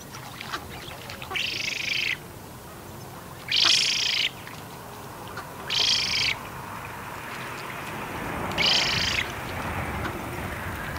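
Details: Young Eurasian spoonbill begging for food at Bislicher Insel on 12 September 2021, 15:35, recorded with a Canon EOS R5: four harsh, wheezy, high hissing bursts of under a second, spaced two to three seconds apart, over low background rumble.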